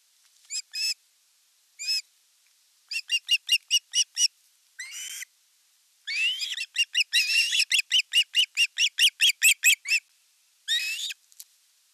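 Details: At an osprey nest in Western Finland's Satakunta region, 5 August 2024, the elder chick attacks the younger during fish delivery. Runs of rapid piping chirps build into dense excited squealing, with a few drawn-out whistles between.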